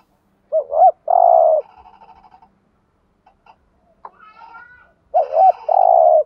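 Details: Lure spotted dove giving its driving coo: a short wavering double note followed by a long rough sustained coo, twice, with a gap of soft murmuring and a brief higher whistle between.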